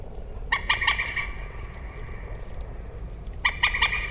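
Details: Common moorhen giving two bursts of three or four harsh, clucking notes with a steady nasal overtone, a short gap between the bursts, over a low background rumble.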